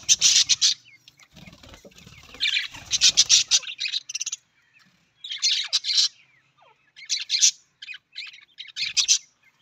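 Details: Budgies, the Australian parrot, chattering in loud buzzy bursts separated by brief pauses, each burst a dense run of scratchy chirps, with faint low thuds in the first few seconds.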